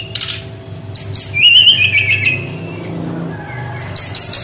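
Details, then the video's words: Brown-chested jungle flycatcher in unique song style, mixing scratchy high chips with a warbled, wavering whistled phrase in the middle; low rumble and faint background noise. "SUARA UNIK GAYA TEMBAKAN BERKICAU BURUNG SRDC"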